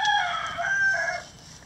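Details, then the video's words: Chickens in a coop on a farm, a loud drawn-out crow-like call, held steady then dropping in pitch toward the end. "Chicken Sounds Relaxing Chicken Coop"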